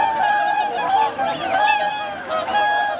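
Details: Short burst from 2628 swans wintering at Lake Hyoko, Niigata, Japan, 8 January 2022: overlapping honking calls with a sustained trumpeting note and a couple of upward-sliding cries.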